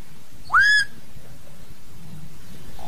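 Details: Common hill myna, singing to call the flock: a single loud rising whistle sweeping up and then holding level, with a quiet low background hum.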